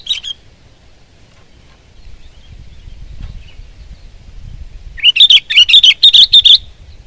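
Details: After one short chirp and a quiet stretch with faint low rumble, a sooty-headed bulbul (kutilang) bursts into a fast run of bright upslurred chirps lasting over a second.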